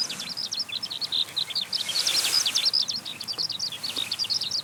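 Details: Eurasian skylark climbing into the sky as it sings, a dense run of quick, twittering high notes that swell louder midway, steady background hiss beneath.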